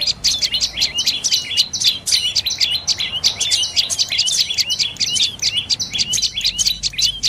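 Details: Dark-necked tailorbird calling continuously with quick, piercing, twittering notes in a fast trilled rhythm, loud and near.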